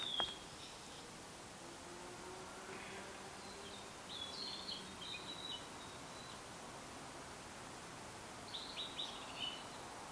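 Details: Blue-and-white flycatcher singing in the Prefectural Citizens' Forest, Yaita, Tochigi, Japan, recorded with an external microphone: short clear whistled phrases open the clip, then brief warbled bursts about four and nine seconds in, over steady hiss.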